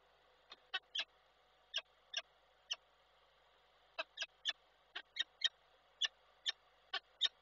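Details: Male peregrine falcon calling to the female, picked up by an online falcon camera in Koszalin, Poland, on 12 December 2023; about nineteen short, sharp chipping notes in uneven bursts, some doubled, against a quiet background.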